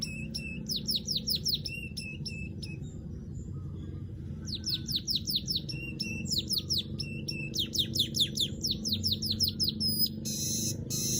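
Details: Weaver chirping in repeated series: rapid runs of sharp descending notes separated by short pauses, continuing over eleven seconds, with a low hum in the background.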